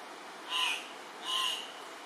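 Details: Male Andean cock-of-the-rock (Rupicola peruvianus) at a lek in Ecuador in April giving two harsh, squawking calls about three-quarters of a second apart over a steady background hiss.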